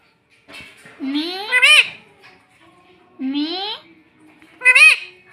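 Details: A pet parrot imitating speech indoors, as in 'mummy' and 'mitthu mitthu'. It makes two drawn-out rising, whiny syllables and then a short sharp bent note, all clearly harmonic and voice-like.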